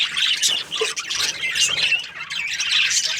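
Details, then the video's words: Cheerful budgerigar chatter in breeding season: a tight flurry of high, buzzy chirps and warbled squeaks, steady and dense for the whole stretch. "Happy budgies chirping sounds | breeding season"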